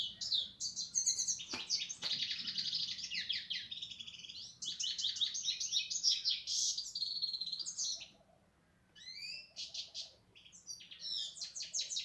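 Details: European goldfinch delivering long, rapid twittering phrases of high tinkling and buzzy notes, with a few sharp clicks early on. It pauses for about a second, then resumes with quick rising slurred notes.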